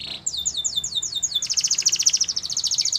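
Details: Canary training song with a short note, then a run of descending slurred sweeps that shifts at about 1.5 seconds into a very fast, high, buzzing trill held to the end.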